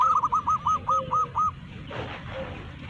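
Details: Zebra dove of local stock singing loudly to call its flock: an even run of seven quick, rounded cooing notes in about one and a half seconds, then a quiet gap with a brief rustle.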